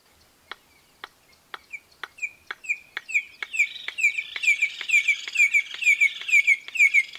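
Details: Red-crested korhaan in Kruger Park, South Africa, giving its simple, very loud song: sharp ticking clicks that speed up, then a mounting run of loud, piping whistled notes over the steady clicks.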